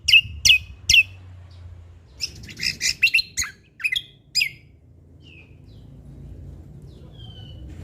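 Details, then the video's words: Lively cucak kombo, the Sumatran leafbird, in 'isian alam' song. Three crisp chirps lead into a fast, jumbled cluster of high whistled and twittering notes. A few soft slurs follow, then near-silence with a steady low background hiss. "Cucak Kombo Lombok Gacor Isian Alam Bikin Semangat Burung Bunyi"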